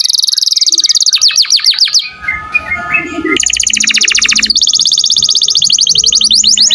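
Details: Lively canary song intended for tutoring other cage birds: rapid high chirping strokes, a brief softer warbling pause, then long fast rattling trills of very high, evenly repeated notes.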